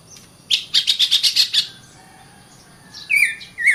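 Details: Oriental magpie-robin delivers a quick burst of about eight repeated sharp notes, then after a short gap a descending whistled phrase.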